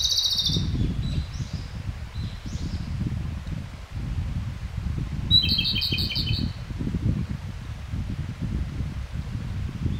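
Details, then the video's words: Japanese robin subsong: one clear phrase midway, a bright high note followed by a fast rattling trill, with fainter high phrases at the start, all over a steady low rumble of rustling or wind. "コマドリのさえずり（ぐぜり）Japanese robin Erithacus akahige song"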